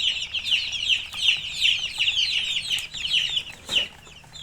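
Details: A flock of domestic chicks (murgi) cheeping loudly, high descending peeps in bursts about every half second, overlapping, with occasional soft rustling.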